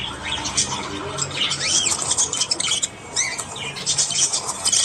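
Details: Budgies, Australian parakeets, in the morning: arched, rising-then-falling chirps and squeaky notes over continuous high chatter from several birds.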